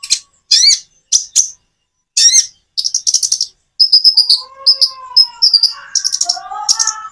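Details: Common iora song with natural breaks, meant to lure birds that rarely sing into replying: loud high chirping bursts, then fast twittering phrases over softer, lower sliding whistles.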